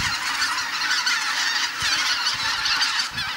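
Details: Geese returning to Kabukuri-numa marsh at dusk after sunset, a dense unbroken chorus of countless overlapping honks from a large flock, forming a continuous roaring wash of calls.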